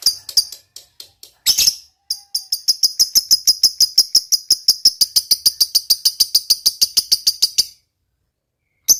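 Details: Fighter lovebird in long ngekek chatter: a few spaced sharp notes, then a sustained run of shrill, rasping notes about three per second lasting over five seconds, ending abruptly, one final note.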